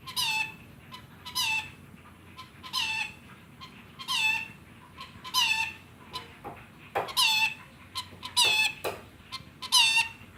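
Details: Rainbow lorikeet imitating a chicken, giving short squeaky clucking calls in bursts about every second or so, each with a descending whistled tail, repeated throughout.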